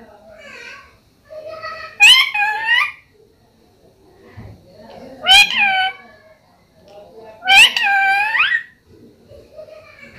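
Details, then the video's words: Pet talking parrot from a Hindi-speaking home: three strong rising squawks with bright harmonics at about 2, 5.3 and 7.6 seconds, between softer voice-like murmurs, indoors. "तोता कैसे बोलता है ll बोलने वाला प्यारा तोता ll parrot kaise bolta hai ll मम्मी बोलने वाला तोता"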